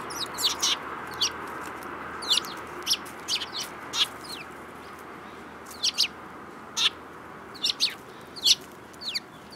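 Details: Sparrows calling, loud clear chirps coming singly and in quick pairs at uneven intervals over nearly ten seconds, against a quiet hiss.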